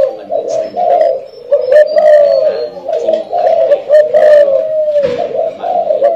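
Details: Spotted dove belonging to a customer in Ho Chi Minh City, said to coo frequently; continuous loud low cooing, notes running into one another with slight pitch wavers and short dips, close and overdriven indoor recording.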